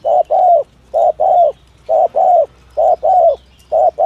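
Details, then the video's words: Spotted dove, call style known as 'thổ thúc gù' used to lure doves, sounding clean rhythmic double coos, short then long, in four quick evenly spaced pairs over a quiet background. "tiếng chim cu gáy chuẩn thổ thúc gù trang bị cho anh em thợ nhử"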